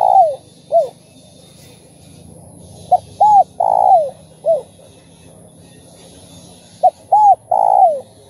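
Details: Spotted dove song used to stimulate other doves to call: two bursts of clear arched and falling coos with short lead-in notes, separated by a pause of about two seconds, over a steady low hum.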